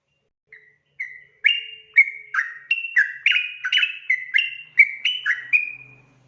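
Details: Yellow-vented bulbul in a long "ropel" song, starting with a few spaced whistles and then speeding into a rapid string of liquid, two-toned slurred notes that drop in pitch. A faint low hum is heard near the end.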